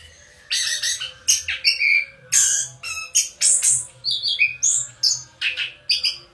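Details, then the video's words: Orange-headed thrush held as a house bird pours out dense, harsh and squeaky song phrases mixed with higher whistles, notes following each other rapidly with little pause; faint low background noise. "Burung Penunggu Rumah Anti Stress!! Anis Kembang"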